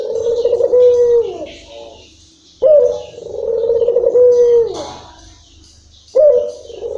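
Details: Long-rhythm song of a local Barbary dove: deep, sustained coos, each starting with a sharp onset and rolling on for about two seconds, repeated roughly every three and a half seconds, with soft background noise.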